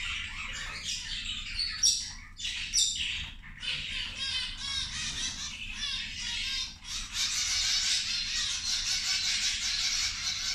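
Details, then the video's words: Several zebra finches calling while eating lunch: short sharp nasal squeaks in the opening seconds build into continuous, dense, buzzy chatter toward the end. "Australijske zebe ručak"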